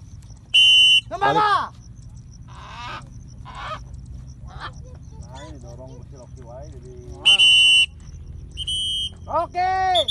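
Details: Macaw flying free in Bandung: harsh, raspy squawks in short bursts near the start and again about seven seconds in, mixed with a shrill whistle and people talking in between.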